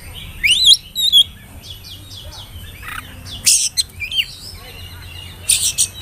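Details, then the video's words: Oriental magpie-robin, spotted juvenile form, whistling song used as a lure to get young birds singing; varied clear whistles and slurred rising notes with sharp buzzy bursts, phrases spaced by short pauses, faint low hum beneath. "pancingan suara burung kacer bersiul bikin emosi lawan cocok buata pancingan kacer muda"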